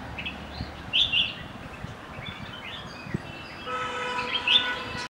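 A red-whiskered bulbul gives short, bright, bubbling whistled phrases in two bursts, while a train horn blares steadily through the second half.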